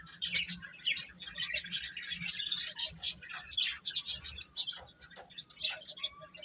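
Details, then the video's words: Chicks cheep in a crowded chorus, many short high peeps stacked on top of each other in uneven bursts with brief quieter gaps. "Cute Chicks Chirping Sounds"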